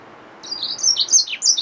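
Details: Hybrid finch, a yellow-fronted canary mule, gives a short burst of high twittering song, with bright chirped notes jumping between pitches and a sharp descending slur near the end.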